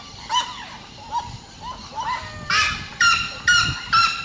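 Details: Red-legged seriema yelping song over a rough, noisy background: soft scattered yelps at first, then loud, harsh rising yelps spaced about half a second apart.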